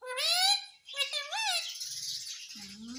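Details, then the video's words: Mummy-and-papa-saying ringneck parrot utters a continuous rising harmonic phrase, a short break, then wavering nasal tones blending into a rough hiss, ending on a low rising voiced sound. "Mummy Papa Bolne Wala Parrot _ Ringneck Parrot mitthu talking"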